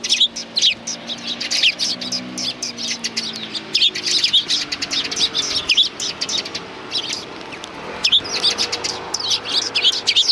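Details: Group of sparrows arriving to be fed at a Tenmangu shrine's front approach on 24 April 2020, many birds chirping at once: sharp, high, downward-sliding tweets in busy clusters, with brief lulls between bursts.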